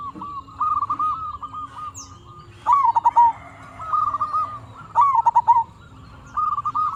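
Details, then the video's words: Lively local zebra dove singing as a lure to stir other doves into answering. Soft staccato coos run into rippling trilled phrases, with louder bursts around the third and fifth seconds and quieter overlapping phrases between. "Perkutut Lokal Gacor RAJA PIKAT Ahlinya Bikin Semua Burung Perkutut Nyaut"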